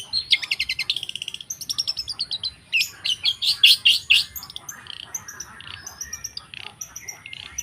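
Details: Long-tailed shrike song opening with fast trilled rattles of repeated notes, then loud buzzy bursts, fading into softer scattered chips and short whistles.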